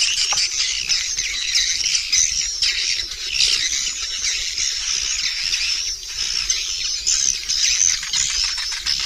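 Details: Swiftlet roosting sound used to attract swiftlets: a dense, continuous high chattering of many overlapping buzzy twitters with no clear pauses, steady throughout.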